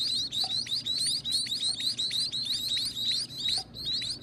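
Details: Young birds begging at feeding time in their owner's care: a fast, continuous stream of high, rising squeaky chirps with harsh edges, briefly pausing near the end before resuming.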